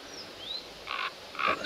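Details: Common Raven, a nervous, rare visitor to a photography hide, gives two short, hoarse, grating croaks about half a second apart, calling to a second raven, preceded by faint thin whistles from another bird.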